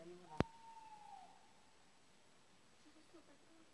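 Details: Male tawny owl (Strix aluco) giving its territorial call: one drawn-out, steady hoot lasting about a second, dipping slightly at the end, after a sharp click, then quiet.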